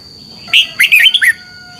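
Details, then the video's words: Red-whiskered bulbul giving morning competition song, used as a lure to stimulate other birds to sing: one short phrase of four or five quick, bright, warbling notes, sliding downward, over a steady high electronic whine. "Luyện chào mào hót sáng - chào mào hót đấu"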